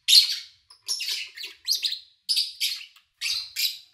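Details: Chirping of kept lovebirds captured in August 2019 with little background noise: a loud opening chirp, then paired and tripled raspy notes in quick clusters with short gaps, about ten notes in four seconds.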